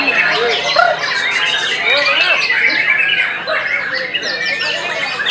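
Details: White-rumped shama singing hard: short loud whistled phrases, upslurred notes and high chips repeated in rapid succession, slightly quieter toward the end, with background voices and other birds.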